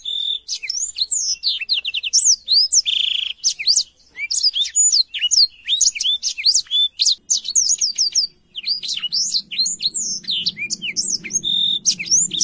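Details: Clear, lively song of a black-throated canary, dense with quick rising and falling whistles, fast buzzy trills and chirped notes, a faint low hum underneath.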